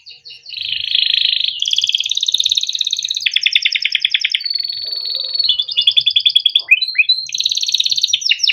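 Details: A male-bred kept canary sings a long, rapid song of rolling trills and buzzy tours around 3–4k, switching phrase every second or so, with sharp rising chips between; used to stimulate young or quiet canaries to sing.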